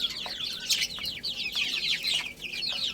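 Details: Chicken chicks playing and eating: a dense chorus of high, thin, downslurred peeps overlapping continuously, with a few soft pecking clicks underneath.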